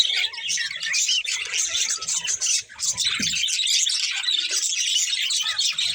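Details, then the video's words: Group of budgerigars keeping up a dense, high chattering warble of scratchy chirps and twitters, one brief dip in volume midway, faint low sounds beneath. "Cute Budgies Chirping Sounds"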